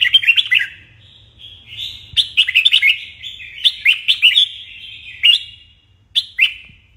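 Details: Red-whiskered bulbul sings bright, bubbly whistled phrases of a few quick notes, repeated in bursts about every second, with sharp clicks and a faint low hum, in a morning song-training recording meant to spur competitive singing.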